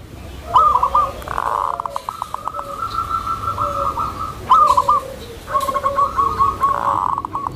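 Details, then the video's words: Tame zebra dove whose soft song is used to lure and train other zebra doves: fast stuttering coo phrases near one pitch, with a long level trill in the middle and clustered bursts near the end. "SUARA PERKUTUT JINAK, LEMBUT, DAN MEMANCING PERKUTUT LAINNYA"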